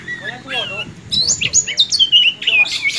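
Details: Oriental magpie-robin (Copsychus saularis), song.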